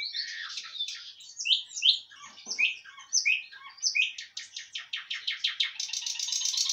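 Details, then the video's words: Common nightingale singing near Kursk: a quick run of varied chirps and sharp swooping whistles, then a fast, even, buzzing trill that grows louder toward the end. No other sounds intrude. "Пение соловья Курск"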